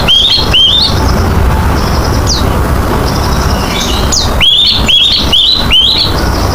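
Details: Oriental magpie-robin song used as a lure to get other birds singing: loud, clear whistled upslurred notes in quick bursts, with a steady hiss and low rumble throughout.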